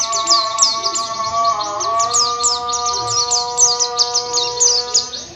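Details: White-eye, locally pleci or perci, in lively rolling song while seeking a rival: dense, fast, high chirps and descending whistled slurs repeated several times a second, with a constant low droning tone underneath.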